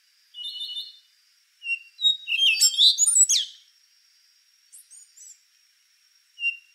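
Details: Rufous-brown solitaire with a soft opening warble over a faint continuous high tone, a dense metallic burst of rapid notes in the middle, then a few scattered quiet chirps.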